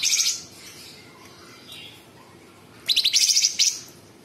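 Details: Sooty-headed bulbul giving close-set tembakan bursts. A short, high, buzzy burst opens, then comes a quiet stretch of faint soft notes, then a longer, rapid, stuttering, rasping trill.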